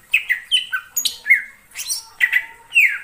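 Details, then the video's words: Wild greater green leafbird in the forest: short, clear whistles and sharp chirps, with a few steady held notes and one bright descending slur at the end. "suara cucak ijo di alam liar"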